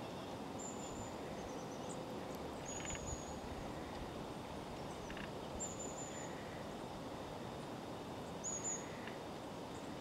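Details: Long-tailed tits in a forest on 25 February 2023 give thin, very high, faint see-see notes every couple of seconds, with a few soft clicks, over a steady wind-like woodland hiss.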